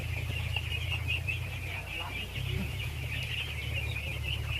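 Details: Ducklings by the thousands during feeding, their high overlapping peeps merging into a constant trilling chorus, accompanied by a heavy low-pitched mechanical hum.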